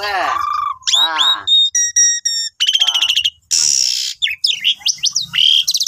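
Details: Asian pied starling in full, persistent song, used as a master song for training cage birds: a rapid medley of falling harmonic whistles, clipped high repeated notes, a harsh hissing burst and looping upslurred whistles, with short gaps between phrases.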